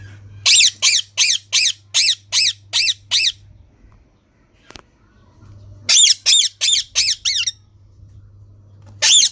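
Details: Green parrot in two runs of rapid, grating squawks, about eight and then six notes, separated by a pause with a single click, over a faint low hum.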